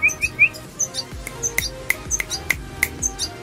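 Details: A red siskin being hand-tamed as a pet gives short, bright chirps, some upslurred, about every third of a second, alongside very high thin notes and soft low thumps.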